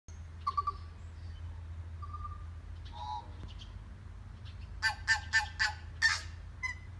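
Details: A tui at Rainbow Falls, Kerikeri, New Zealand, calls in response to another tui in the distance: short clicks and pure whistles, then a quick run of five sharp, ringing knocks over a steady low hum.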